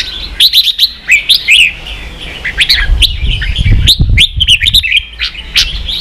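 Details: Red-whiskered bulbul song in the ché style, played for training young birds to sing and to spur birds into fiery singing: quick runs of clear whistled and warbled notes with sharp rising and falling strokes, nearly continuous, over a low rumbling background.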